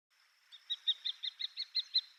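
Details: A Common Kestrel, a resident bird in Japan that stops over on Yonaguni while migrating, gives a rapid run of about nine sharp, high 'kee-kee-kee' notes, roughly five per second, over a faint steady high hiss.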